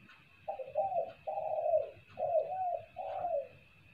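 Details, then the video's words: Spotted dove calling kuk-kuk, used as a lure. Five even, hollow coos are spaced about half a second apart, the longer ones dipping in pitch. A low rumbling background noise and a faint steady whine are also present. "SUARA TEKUKUR,,, buat pancingan suara kuk2...."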